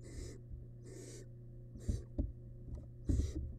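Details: Nest-box barn owl nestling, wild, tearing at rabbit remains. Rasping hisses come one after another, mixed with loud thumps and scraping knocks from movement, over a persistent low hum.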